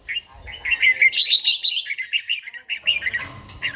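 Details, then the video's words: Red-whiskered bulbul, an older bird with a forest-style voice, singing in the morning during daily song training in Gia Lai; bright warbled phrases of quick, slurred notes, a rising run of chirps, then a further string of short notes. "chàomào HÓT SÁNG, LUYỆN CHIM HÓT HẰNG NGÀY"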